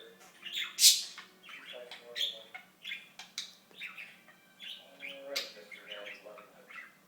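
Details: Budgerigar talking in a long stream of rapid, raspy imitated words mixed with sharp squeaks and chirps.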